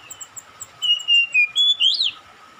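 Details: Magpie-robin calling back to another: faint high ticking notes, then a bright phrase of five whistled notes, the last one rising steeply and falling, against a soft constant background tone.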